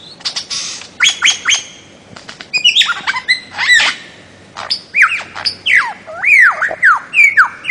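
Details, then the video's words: Bird-of-paradise song: clipped harsh chatter and stacked nasal notes, building into a series of loud looping whistles that rise and fall in quick succession. "kicau burung cendrawasih"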